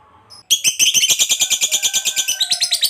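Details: Lovebird of the fighter type starting its long ngekek trill, a song said to stir other lovebirds into singing: a brief faint chirp, then a sudden loud, high, buzzy chatter of rapid evenly spaced notes.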